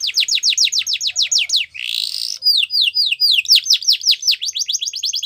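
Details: Yellow canary singing, described as in the wild: a brisk run of downward-sweeping whistled notes, a harsh rising rasp, then more sweeping notes and a fast trill.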